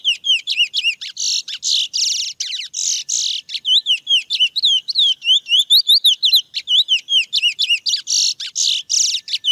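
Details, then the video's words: Wild chestnut-bellied seed finch (curió mateiro) natural song: a fast, continuous run of clear whistled notes and buzzy trills, high-pitched with repeated rising and falling slurs, no other sounds. "CANTO do CURIÓ SELVAGEM MATEIRO: CANTO NATURAL e LINDO!"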